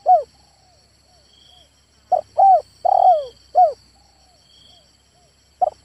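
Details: A male spotted dove gives soft hollow coos, a single note, then a full four-note phrase with a long falling third note, then the start of another; constant high-pitched insect drone in the background.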